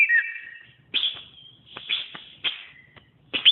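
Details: Greater green leafbird, a pet-bird training song: a falling whistled phrase, then short loud bursts of bright whistles separated by brief gaps, with faint low rumble beneath.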